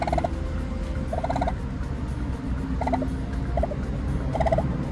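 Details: Korean turkey at a natural hatching of turkey chicks: short rattling, harmonic-rich bursts repeated roughly every second, each a quick burbling run, over a steady low hum.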